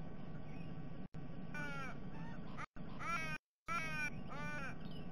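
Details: Broken, wavering raven calls, four or five short nasal cries cut by brief dropouts, against a low steady hum. Three ravens, probably a family with a food-begging fledgling, were eating a sea-eagle's unhatched eggs in December 2021.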